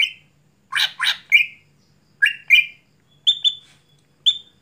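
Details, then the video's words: Night-time song of a greater green leafbird (cucak hijau): short clear whistles alternate with pairs of rough buzzy notes, ending in higher, thinner piping whistles. "Mitos Cucak Hijau Gacor Malam Hari Tidak Bisa Buat Lomba"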